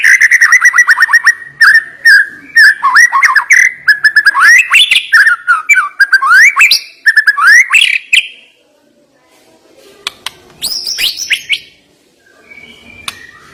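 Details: White-rumped shama (murai batu) singing its isian in sharp, rapid bursts: a fast series of slurred whistled notes and trills around the middle register, then scattered high chips and pauses toward the end.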